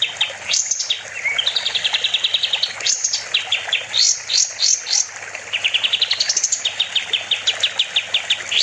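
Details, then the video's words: Master recording of a sooty-headed bulbul (kapas tembak) in full song: sharp upswept notes, rattling trills, and a rising series of quick chips, in a varied, restless delivery. "Kapas tembak gacor || Masteran burung"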